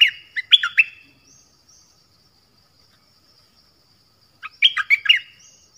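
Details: Nok dok taeng song from Thailand, meant for young birds to copy: a quick burst of sharp, clear chirped notes, then about three seconds of silence before a second, busier phrase of rising and falling whistles.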